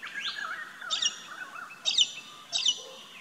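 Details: Galah calling in an Australian backyard garden: three harsh, rasping screeches about a second apart, with softer lower warbling notes running beneath throughout.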